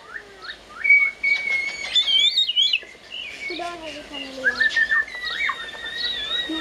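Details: A screeching parrot gives a series of whistles: short rising and falling notes, some long, wavering and drawn out. A person talks in the background.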